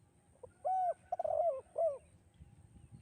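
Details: Spotted dove cooing a single melodious kuk-2 phrase, offered as a master song and lure: soft first note, long smooth coo, a rolling tremulous coo and a final short drooping coo, then quiet.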